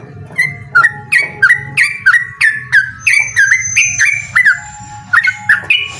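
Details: Singing yellow-vented bulbul inviting a rival to duel: regular bubbly whistled notes roughly twice a second, each dipping then rising, with a thin high steady tone faintly behind around the middle.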